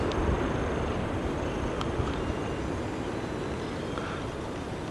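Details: Steady wind and low engine-like rumble fill the recording, with only a few faint clicks and no clear animal calls.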